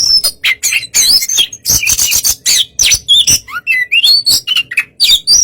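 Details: Oriental magpie-robin in a relaxed song used to provoke a less aggressive rival into answering; dense rapid run of sharp whistles, buzzy chatters and rising and falling high notes, phrases following each other with barely a pause.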